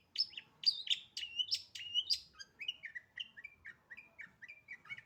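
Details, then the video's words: Long-tailed shrike in full, lively song: a fast series of sharp, varied chirps and short whistles around the upper-middle range, bright notes early, then shorter repeated descending phrases roughly every third of a second. "BURUNG CENDET GACOR FULL ISIAN SPEED RAPET"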